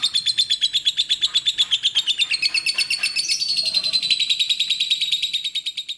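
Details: Sharp, high, buzzy chattering from a lovebird, the note stream rising midway into a shriller, denser stretch before easing back down; recorded cleanly as a training song for other birds.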